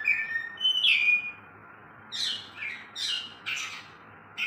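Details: Oriental magpie-robin in a singing contest between two caged birds: a long level whistle, then after a pause a string of short, rich, falling chattered notes in quick bursts.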